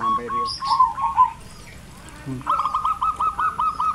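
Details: In a quiet rural village of Kebumen, Central Java, a zebra dove gives a brisk series of short, bouncing coos in the second half, following a few separate earlier notes over a soft background hum.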